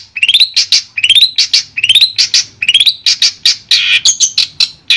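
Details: Madura long-tailed shrike, clear master recording: repeated rising rattled phrases with sharp chips between them, then harsher scratchy notes.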